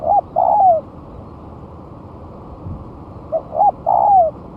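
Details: Spotted dove singing vigorously as a lure a month after moulting: two soft cooing phrases, a brief note and an arched coo followed by a long smooth descending coo, with a pause of about three seconds.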